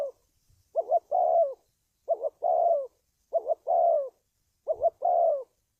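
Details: Spotted dove cooing, used as a lure recording for trapping wild doves: four phrases, each a short double-pulsed coo then a longer hoarse falling coo, roughly one phrase every 1.3 seconds, clean background.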